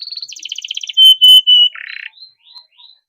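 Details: Canary song used to prompt other canaries: a quick trill, rapid pulsed notes, three loud steady whistles, a harsh buzzy phrase, then a few soft faint notes.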